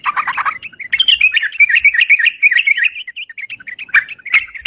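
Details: Sooty-headed bulbul singing busily, recorded for use as a lure: rapid jumbled chirps and slurred whistles running together, with a few sharp clicks near the end.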